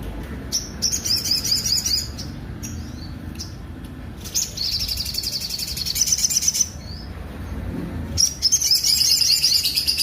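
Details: Sunbird singing with rough, prominent notes, kept for training other songbirds. Dense, high, shimmering trills come in separate bursts, with brief pauses and short chirps between them, and a long, steady trill in the middle.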